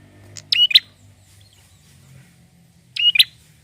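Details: Male prinia singing to stimulate other birds: two short, sharp phrases about 2.5 seconds apart, each a quick high chip followed by a bright, buzzy two-note 'chi-ip' with a clicky edge. Faint low hum in the background.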